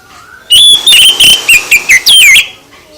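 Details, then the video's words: Oriental magpie-robin (kacer) song used to provoke other birds to answer: a loud, clipped burst of about seven rapid whistled and chattering notes over two seconds, sliding and dipping, from a quiet background. "Gak Mungkin Gak NYAUT ketika KACER ditempel dengan KICAU ini"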